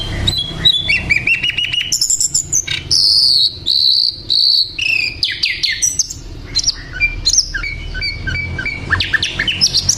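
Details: Hill Blue Flycatcher in lively song for ten seconds, mixing rapid chattering notes, long level high whistles, descending slurs and sweeping twitters in quick succession.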